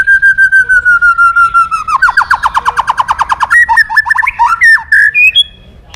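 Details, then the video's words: A white-rumped shama in full song, calling a rival: a long, slightly falling whistled note, then a fast, even series of repeated notes, then a flourish of rising and falling whistles. "Suara Burung Murai Batu Gacor Memanggil Lawan"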